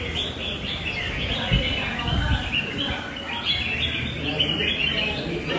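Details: Loud, long-singing red-whiskered bulbul, described as responsive in a fight, delivers dense chattering whistles throughout, with a couple of low knocks early on and persistent background hum.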